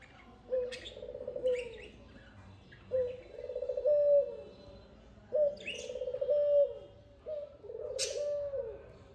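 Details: A dove gives low, soft, hollow coos in phrases about every two to three seconds, with faint higher chirps of budgerigars in the background that seem to go quiet and listen to its sweet call.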